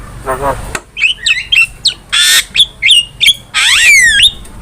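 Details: Cage-bird training recording of a Javan myna singing: a grating opening note, then chattering whistles and noisy bursts, ending with a long descending slurred whistle.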